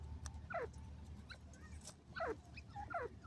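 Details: Brief burst from a desi grey francolin: three slurred, downward-sliding notes spaced about a second apart over low-frequency hum.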